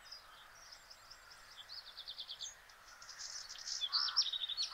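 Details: Black redstart male in song, Simpelveld, Netherlands, 12 May 2022: a thin, high, rapidly pulsed rattling series followed by a louder scratchy, crackly burst of notes, against quiet surroundings.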